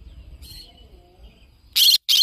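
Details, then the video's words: Yellow-sided conure parrot opening with a soft, faint chirp, then bursting into two sharp, harsh screeches close together over a low rumbling background. "Yellow sided conure parrot bird sound"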